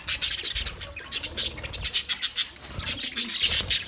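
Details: Colony of budgerigars chirping in quick bursts of high scratchy notes and sharp whistles, with a short quieter gap near the middle.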